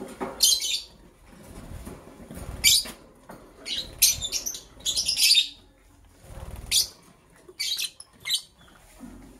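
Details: Green and blue lovebirds, kept as pets and preparing for egg laying, chirping in the morning: shrill, harsh high-pitched chirps in bursts of two or three, about every second, with soft low rustling and thumps between.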